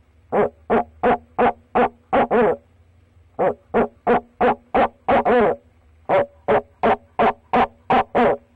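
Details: Male barred owl at a nest box calling to his mate: three bursts of short, evenly spaced hooting notes, about six each, separated by brief pauses, some notes bending up and down in a barking quality.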